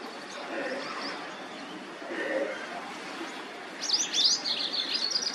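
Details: White-browed wagtail calling: after a few faint notes, a burst of bright, high, twittering chirps lasting about one and a half seconds, over steady outdoor background hiss.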